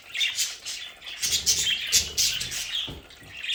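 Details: Pet budgerigars kept at home in their play area, giving dense, overlapping squawks and twittering chirps that rise and fall in quick succession, about four bursts per second.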